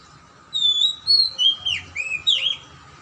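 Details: Oriental magpie-robin singing, played to prompt a quiet, reluctant bird to start: a run of bright whistled phrases, sliding up and down, with a scratchy downward slur in the middle and a low steady hum behind.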